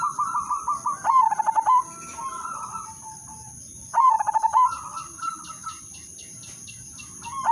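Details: Zebra dove, called perkutut or merbok, singing a melodious lure song to prompt other doves to sing. Two pulsed, stuttering coo phrases about three seconds apart trail into softer purring notes, with a faint constant high-pitched hum.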